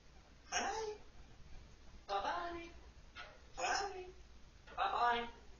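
An African grey parrot talks in four short, speech-like phrases, each under a second with clear voiced pitch, spaced about a second and a half apart, in a quiet room.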